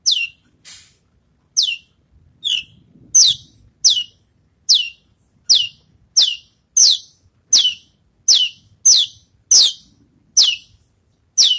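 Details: Post-moult Javan bush lark rehearsing its songs: a steady series of bright whistled notes each dropping sharply in pitch, repeated roughly every half second to second, with little else audible.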